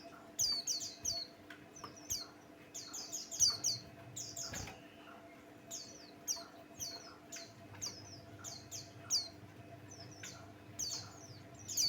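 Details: White-eye known as pleci Buxtoni, singing as bait to set off other birds: long lively stretch of high, twittering downward-slurred notes in dense clusters, a faint thump midway, steady low hum throughout.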